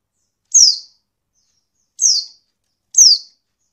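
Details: Female Oriental white-eye call, used to provoke lazy males into singing quickly as in the wild; three high, thin descending tseep notes, each a short downward slur, spaced about one to one and a half seconds apart on a silent background.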